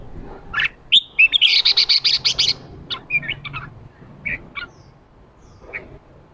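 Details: Red-whiskered bulbul, a fired-up male in the 'ché' singing style used to provoke wild-caught birds into song: a few clear whistled notes, then a rapid run of about ten harsh, buzzy pulses, followed by scattered short chirps.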